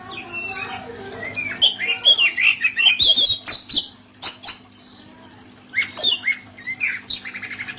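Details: Oriental magpie-robin rough fill-in song: jumbled run of sharp clicks, whistles and squeaky notes, a pause, then more short chattering phrases ending in a fast ticking series.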